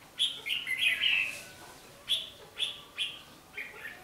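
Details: Red-whiskered bulbul decoy singing its fighting song in a trap, 11 January 2016: a rich warbled phrase that slides downward, then short clear whistled notes spaced about half a second apart.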